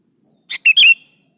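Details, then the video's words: Sooty-headed bulbul, a lively kutilang for prompting other birds: one brisk three-note phrase, a short note then two loud, slurred, falling whistles, in clear quiet surroundings. "SUARA BURUNG KUTILANG GACOR"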